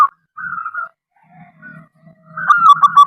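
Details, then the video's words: Local zebra dove (perkutut) used to draw other doves to sing: a smooth, even coo, then a low rumbling murmur, ending in a loud trilled, stuttering cooing phrase. "perkutut lokal gacor suara aneh"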